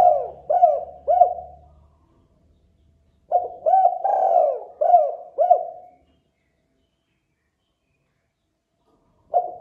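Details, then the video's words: Lure recording of a spotted dove cooing: three quick hooked coos, a low hum and a pause, then a longer phrase of five mellow coos with one drawn-out note, and a final coo starting near the end; otherwise silent. "MASTERAN SUARA TEKUKUR DERKUKU GACOR DOR JERNIH"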